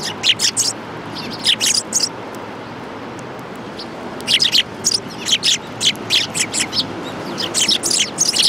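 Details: A group of sparrows gathered at scattered food at a shrine in Japan, January 2018; dense bursts of sharp chirps from several birds, a quiet gap in the middle, then chattering resumes.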